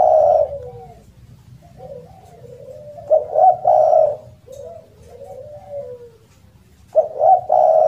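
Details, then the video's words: Spotted dove, a loud and melodious caller used as a lure and master bird for doves that have stopped calling, giving low hoarse coos in phrases of several notes, with quieter softer coos between the louder bursts. "SUARA BURUNG DERKUKU ( suara keras )"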